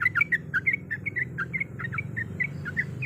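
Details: Female yellow-vented bulbul in breeding condition calling the male, used to lure birds: rapid chattering run of short bubbly notes, about six per second, over a steady low hum.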